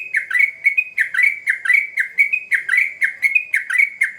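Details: Sooty-headed bulbul, played as a fast-response lure: a rapid chatter of clipped, upward-flicking chirps, roughly two per second, bright and insistent with no pauses.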